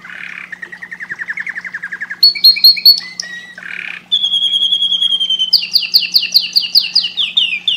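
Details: Canary song played to stimulate breeding: loud, continuous series of rapid trills and rolls, shifting from low buzzy rattles to clear whistled notes and fast descending chirp runs, each phrase changing pitch every second or two; faint steady low hum beneath.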